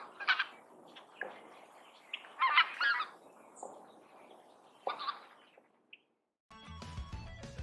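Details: Greater white-fronted geese give their high-pitched yelping cackles in short bursts, two-noted with a distinct break between the first and second notes; music starts at the end.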